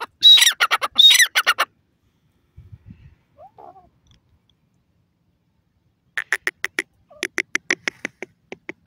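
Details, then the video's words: Francolin (teetar) voice: two loud, harsh, grating notes, then near silence with faint low rustles, followed by a quick series of dry, clicking, rattling notes that trail off. "pheasant bird voice,teetar ki boli,sindhi teetar awaz"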